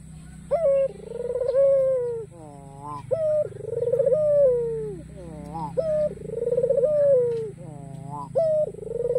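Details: Coo sequence from a white ringneck dove with a black collar, aimed at prompting rivals to call; repeated pulsing coos alternate with short rising laughing trills, over a low background rumble.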